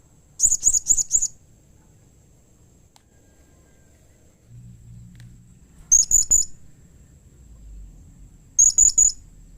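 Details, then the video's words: Blue-crowned hanging parrot calling to draw replies from other hanging parrots: three clusters of four rapid, piercing high squeaks, spaced several seconds apart, with a faint low rumble in between. "SUARA Serindit Seperti Ini Paling Di Sukai & Cepat Di Respon Bikin Nyaut Semua Burung Serindit"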